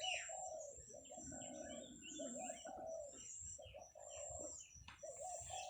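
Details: Zebra doves cooing on a morning in rural Thailand, 17 July 2023, beside grazing buffalo: rolling coo phrases broken by short pauses, overlapped by other small birds' high chirps and trills.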